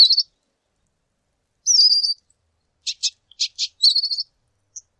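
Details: Lesser goldfinch singing high, trilled warbling phrases mixed with clipped chip notes, a quick tumbling series near the end and one faint closing peep.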